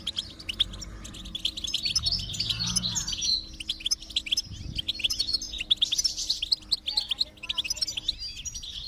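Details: Singing goldfinch played to stimulate a silent one: busy high chattering twitters running almost without break, some louder notes standing out, over steady low droning tones.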